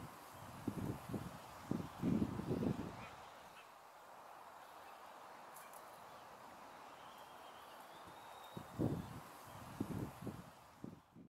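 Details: Laysan albatross chick being raised by its parents on Midway Atoll National Wildlife Refuge in 2022. Low, hoarse honking bursts come in short clusters near the start and again toward the end, with a quieter stretch between them.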